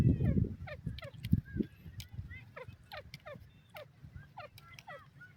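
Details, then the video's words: Grey francolin, known locally as dakhni teetar, gives a fast run of sharply descending, slurred call notes at an irregular rhythm. The sequence opens over a loud low-pitched thump and rumble. "dakhni teetar sound, teetar fun, teetar ki awaz"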